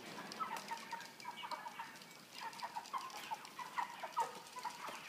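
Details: Broiler chickens of 3 kg in a cage fitted with a pan feeder. Soft, evenly repeated peeping clucks sound over a low flock murmur, with occasional clicks from the equipment.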